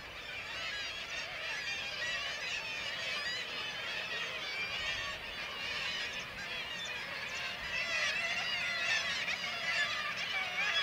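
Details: Black-legged kittiwakes in Varangar, Norway, where white-tailed eagles attack the chicks; a dense, steady chorus of overlapping nasal, wavering calls from many birds, rising slightly in intensity toward the end.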